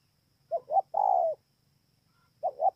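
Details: Spotted dove recorded at Bờ Y, Kon Tum, Vietnam, on 28 November 2017. Two short hollow coos lead into a longer, steady, slightly falling coo, and a second pair of short coos begins at the end over a faint low hum.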